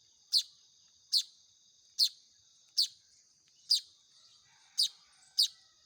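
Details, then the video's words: Hand-reared Baya weaver chicks begging with seven sharp, high-pitched, falling chirps at regular sub-second spacing, a persistent thin tone running beneath them. "SUARA ANAKAN BURUNG MAYAR"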